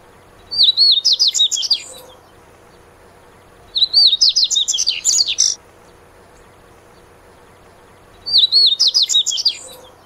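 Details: Dubois's seedeater, known locally as coleiro mineiro, repeating a bright, fast song phrase of high chirps and warbled whistles three times, each phrase about one and a half seconds, with pauses of roughly two seconds between.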